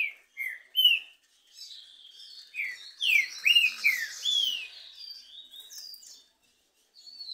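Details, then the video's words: Green-winged saltator (trinca-ferro) duel, two birds counter-singing canto and machiado: rich whistled notes sweeping down, bunched into fast phrases around the middle, with overlapping high chatter and short silences. "DISPUTA DE 2 TRINCA FERRO CANTO E MACHIADO"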